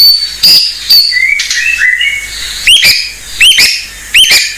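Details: White-rumped shama song used as a lure for raw, untrained shamas, full of mimicked fill phrases: high thin whistles alternate with sharp upward-hooked notes repeated roughly every half second, over faint steady hiss.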